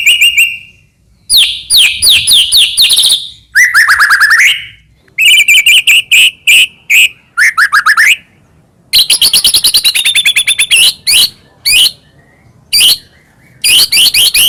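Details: Long stretch of white-rumped shama song, Medan type, played to provoke rival shamas: varied phrases of rapid whistled slurs, rattling trills and short sharp notes, broken by brief silences throughout.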